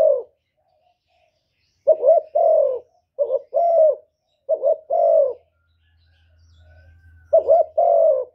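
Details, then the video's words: Spotted dove giving its 'thổ thúc' coo and call to provoke wild doves. After a pause, rhythmic low phrases of a stuttering double hoot plus a drawn coo repeat four times, with a faint low hum near the end. "cu gáy giọng thổ thúc gù + gáy gọi giọng rất chuẩn để kích bổi"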